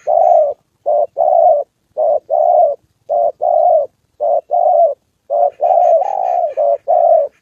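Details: Spotted dove kept as a decoy bird in Vietnam, cooing in repeated hoarse low phrases of two or three notes, a phrase roughly every second, with a faint buzzy higher sound near the end.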